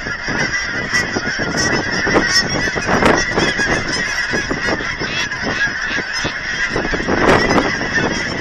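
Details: Geese gathered by the thousands at an aquatic center in Hereford, Texas, while being fed; a continuous, raucous chorus of overlapping honks, with louder individual calls standing out around three and seven seconds.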